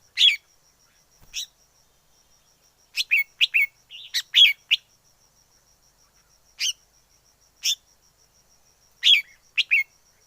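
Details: Wild forest red-whiskered bulbul singing in short bursts of bright, liquid chirps, some grouped in rapid clusters of three or four notes, separated by brief pauses, with a faint steady ticking tone behind.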